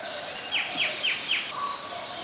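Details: White-vented myna recorded at Ubon Ratchathani, Thailand, on 18 January 2021: four quick, high chirps sliding downward about a quarter second apart, then a short, level, lower whistle, over a faint steady hiss.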